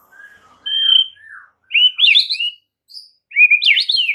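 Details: White-rumped shama in a masteran recording meant to trigger singing in other shamas: a long steady whistle and lower slurred notes, then bursts of rich, complex warbled phrases separated by short pauses.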